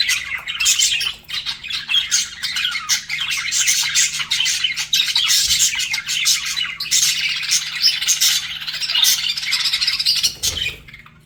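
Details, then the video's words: Flirting budgerigars keep up rapid, overlapping chirps, clicks and scratchy warbles, a busy high chorus that runs steadily before tapering off abruptly at the very end. "BUDGIES FLIRTING"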